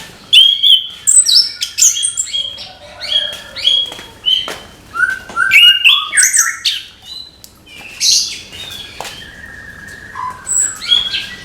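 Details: Orange-headed thrush in full morning song, pouring out a long, varied medley of whistled slides, chattering notes and high squeaky accents with hardly a break.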